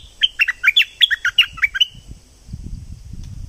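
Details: Thick-billed flowerpecker decoy call from southern Thailand: a rapid burst of about nine sharp, high chirps, each a quick downward-then-upward flick, packed into under two seconds, then quiet with faint low rumbling.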